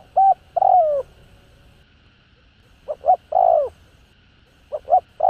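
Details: Spotted dove calling in the hạp bổi voice, used to excite kept doves: mellow coo phrases of short notes ending in a drawn-out descending coo, repeated with brief pauses between groups.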